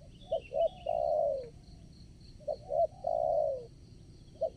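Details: Decoy spotted dove calling to attract wild doves during trapping at a new location: two short clipped coos followed by a long drawn, slightly falling coo, the phrase given twice, with faint twittering of a small bird and steady high insect buzz.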